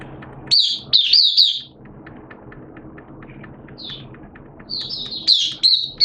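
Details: Caged Oriental white-eye in 'buka sing' open song, 11 September 2022, wet erratic weather; loud high chattering phrases at the start, a long quieter gap with one soft note, then more bright twittering near the end.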